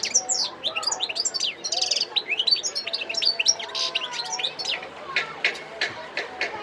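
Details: Wild European goldfinch in Sidi Bel Abbes, Algeria, on 17 December 2021, pouring out a continuous jumble of high twittering notes and metallic chips that ends in sharp, clicking ticks.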